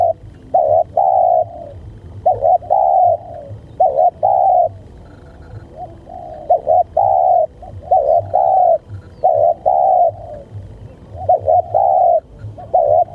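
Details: Spotted dove heard while luring wild birds (mikat): loud, hollow two-part coos around a low pitch, given in short bursts of two or three notes with brief pauses, repeated steadily throughout over a faint low hum.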